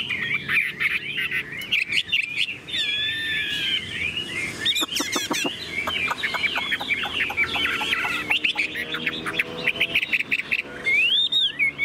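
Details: Tame Chinese hwamei kept in a cage, pouring out a rich, warbling, whistled song, at times mixed with sharp clicking and rattling sounds from handling nearby.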